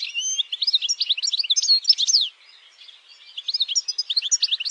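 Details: Campero-style song of a European goldfinch: rapid, liquid twitters and buzzy trills in two bursts split by a short pause, with a faint rattling trill near the end.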